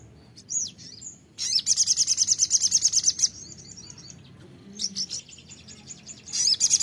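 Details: Sogon, the ruby-cheeked sunbird, in a lure recording meant to get a kept bird singing: a few high slurred chips lead into a long, even, rapidly repeated high trill, followed by scattered short twitters.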